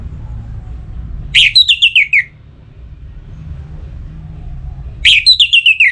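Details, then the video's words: Orange-headed thrush in breeding condition, a kept bird calling a rival: two matching phrases about four seconds apart, each a sharp rising note then a falling run of rapid whistled pips, with soft low hum between. "ANIS MERAH Gacor Pancingan Birahi & EMosi Burung || Kicau memanggil lawan"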